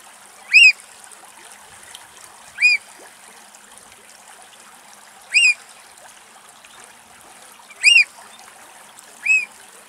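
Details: An adult Eurasian oystercatcher in Axios Delta National Park, Thessaloniki, Greece, gives five loud, shrill piping 'kleep' notes spaced two to three seconds apart, over a soft background hiss of water.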